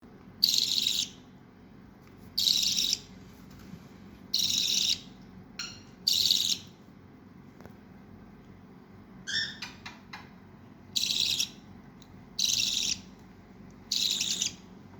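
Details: A newly arrived baby budgerigar gives harsh, hissing calls, repeated about every two seconds.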